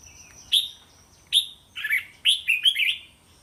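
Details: Red-whiskered bulbul singing a training-line song played to teach young caged bulbuls to answer. Bright, liquid whistled notes come in short phrases of several syllables, with sharp upward-starting notes about every second and a quieter chirpy run near the end.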